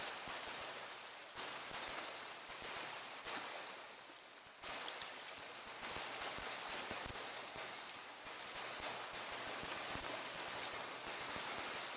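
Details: Steady wind and water noise with scattered knocks and clicks, and no animal calls.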